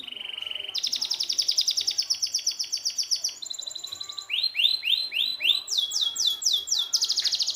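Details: Canary song used as a tutor recording for canaries that have stopped singing: a steady high trill, then fast rattling trills, a lower pulsed phrase, and a run of rising whistled sweeps, each tour switching abruptly to the next.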